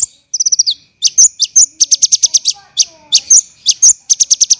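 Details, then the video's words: Songbird training recording of an olive-backed sunbird (konin) delivering dense, harsh 'tembakan' bursts: a quick descending trill opens, then piercing staccato chips rattled in rapid runs, with a faint constant hum. "MASTERAN KONIN tembakan rapat dan kasar"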